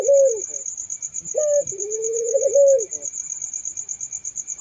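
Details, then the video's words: A Barbary dove gives two low coos, each a clipped rising note followed by a sustained even tone, then falls quiet, while a high pulsing insect trill continues throughout. "suara burung puter merdu syahdu"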